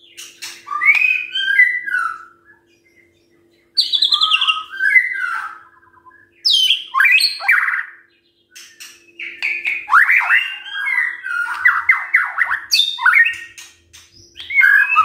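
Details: White-rumped shama lure song for morning, played to make quiet shamas reply: a long series of varied phrases mixing harsh rasping chatter, fluty whistles and fast trills, separated by short silences, with a steady low hum.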